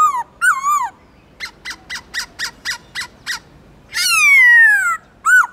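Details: Black-throated laughingthrush singing in many voices in forest style, used to stimulate other captive birds: falling harmonic-rich whistles, a run of seven short evenly spaced notes, then a long descending slur and a final whistle.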